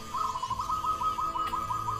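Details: Zebra dove from the forests of Java, short-beaked, singing a steady rolling series of soft, evenly spaced coo notes at a fairly constant mid pitch, about seven per second, with a faint background hum.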